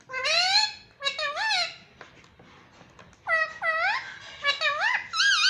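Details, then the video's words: {'caption': 'Pet parrot talking indoors, saying mummy papa: three bursts of rich harmonic, voice-like syllables with rising and falling inflections, separated by short pauses, with faint room clicks between.'} "Mummy Papa Bolne Wala Tota || Talking Parrot || Pattu Parrot Talking"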